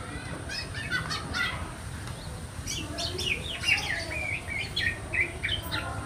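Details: Black-naped oriole chick begging to draw in its parent birds: a busy run of short, high chirps and squeaky notes in clusters, steady over a constant low background rumble.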